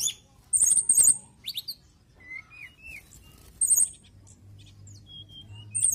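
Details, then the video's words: Lively singing from a mountain tailorbird, with clear rising and falling whistles mid-pitch, bursts of very high chattering notes, and a few sharp clicks. "TLEDEKAN GUNUNG GACOR ENAK"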